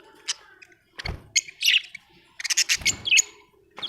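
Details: Budgie chirping happily, a quick run of sharp clicks and chirps with a few upward-sliding whistles, the bursts clustered near the end, plus a low thump.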